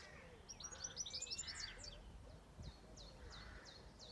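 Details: Birds singing on a farm: a quick run of high, sharp twittering notes, then a string of clear downslurred chirps about one a second, with a harsher, lower bird call and faint low thumps behind.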